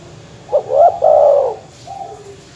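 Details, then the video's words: Dove (terkukur/perkutut) lure call meant to anger rivals, a short rolling phrase of low, soft hooted coos that swells then drops into a quieter final coo, with a low background hum. "suara masteran terkukur/kutut bikin emosi lawan"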